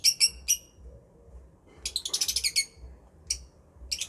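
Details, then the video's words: Lovebird giving a few sharp, high chirps, then a dense chattering burst of rapid notes, a pause, and two more isolated shrill chirps over a soft low hum. "Love Birds Chirping Sounds"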